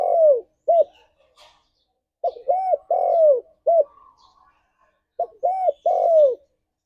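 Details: Spotted dove song played to encourage pet doves to sing: low mellow coos in arched phrases, each phrase a few short notes, repeated with pauses between.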